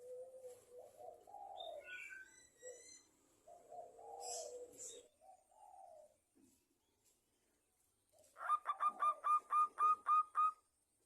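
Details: Local Zebra Dove singing as a lure to make other zebra doves call: soft, low rolling coos at first with brief high squeaky notes, then a pause, then a rapid run of about ten sharp, ringing staccato notes.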